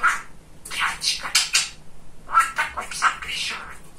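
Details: Talking budgerigar, a male kept as a pet and described as very chatty: two runs of mimicked, word-like chatter of fast syllables, with a pause in the middle, in a quiet room.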